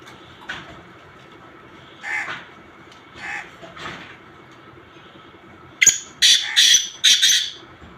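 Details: Black francolin mixed calls. Several soft, husky notes are spaced about a second apart, then a loud, harsh, grating series of four rasping notes closes the recording.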